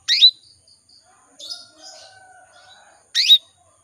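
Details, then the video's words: Caged female canary calling males, a lure to make males sing: two sharp upswept chirps about three seconds apart, with a softer buzzy note and faint lower tones between them. "PANCINGAN KENARI BETINA MEMANGGIL JANTAN"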